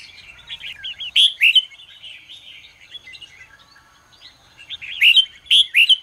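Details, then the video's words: Red-whiskered bulbul in morning song, used to train and stir other bulbuls; chattering warble with a pair of loud whistled notes early and a cluster of three loud whistles near the end. "chào mào hót sáng QUÁ HAY"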